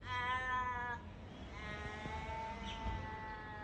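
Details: An Australian crow, possibly in Sydney, gives two drawn-out, nasal, wailing notes, almost cat-like; the first lasts about a second, the second is longer and slowly trails off over a low rumble.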